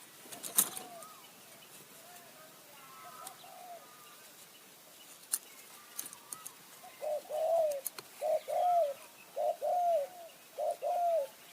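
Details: Spotted dove decoy luring wild birds in high forest, Kanchanaburi, Thailand, in the khu ang and nun ang calling styles. Faint distant coos first, then a strong run of five rounded, slightly falling coos about one second apart.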